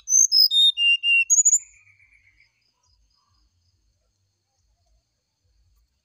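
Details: Brown-chested jungle flycatcher singing in the morning, used as a lure to draw a reply: clear whistled notes stepping steadily downward from high to lower pitch over about two seconds, then silence.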